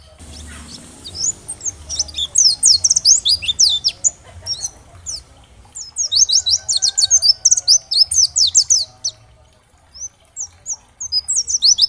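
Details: Long, energetic outpouring from an oriental white-eye of the dakbal type: dense runs of high, rapid, sharply slurred chirps in repeated bursts with short pauses, intended to provoke other white-eyes into responding and singing.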